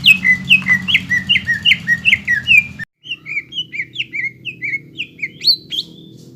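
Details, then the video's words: Full-voiced greater green leafbird song meant to coax young leafbirds into singing quickly: rapid, regularly repeated down-slurred whistles, roughly two per second, broken by a brief cut, then continuing with similar bright chirps over a faint low hum. "PANCINGAN CUCAK IJO BAHAN ATAU BAKALAN AGAR CEPAT GACOR"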